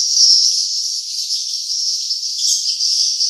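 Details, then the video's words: Swiftlet calls meant to lure swiftlets to nest sites form a continuous, shimmering high twitter with slight pulsing swells throughout and nothing heard in the low range. "suara sarang burung ( âm thanh chim yến ) swiftlet sound"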